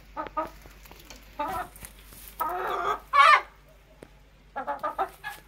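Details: Chickens recorded naturally without added effects: scattered soft clucks, a longer throaty call, then a short sharp squawk, followed by a quick series of clucks.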